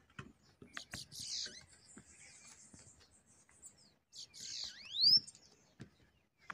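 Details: Bananaquits, a pair arriving to fight a caged bird during a trapping session, give two high sizzling buzzes, each ending in a sharp upward-sweeping whistle, among faint ticks and scattered clicks.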